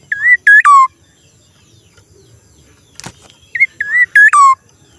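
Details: Black-naped oriole giving what is described as a strange call: loud clear whistled notes, each bending in pitch and the last dropping low, in two bursts about three seconds apart, with a sharp click between them.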